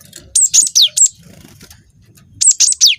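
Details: Young cinereous tit of the wingko type singing vigorously, used as a lure to provoke other birds to sing: two bursts of three or four very high, sharp notes, each ending in a steep downward slur, separated by a quiet gap.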